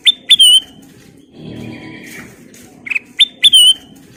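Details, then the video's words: Black-crested bulbul singing in a chatty full-fill style, giving short bright whistled notes that sweep down, then a drawn-out level whistle, repeated after a pause, over a low murmuring background. "Burung kutilang emas Gacor full isian"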